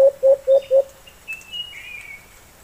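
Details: Four low coos from a wild white-eared brown dove answering a kept bird, followed by thin, high drawn-out whistles from another bird.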